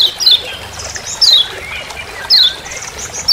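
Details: Lombok yellow white-eye, the Lemon-bellied white-eye, calling "ciak ciak" in forest as a master recording: high, quickly falling chirps repeated roughly once a second with faint background hiss.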